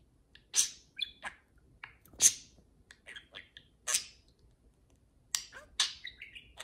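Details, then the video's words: Pair of parakeets chattering while they play, giving scattered sharp chirps and quick twittering notes spaced irregularly, roughly every second or two. "Parakeet Pillow Talk: two parakeets converse and play"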